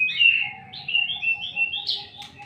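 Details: Short burst of white-rumped shama song: a quick run of warbled, slurred whistles rising to a high note.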